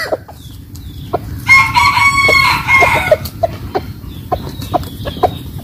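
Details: Morning crow of a rooster in the Vietnamese countryside, Mekong region: after a few quiet clucks comes a long, steady, strained crow of about a second and a half, followed by scattered short clucks and clicks over a low background hum.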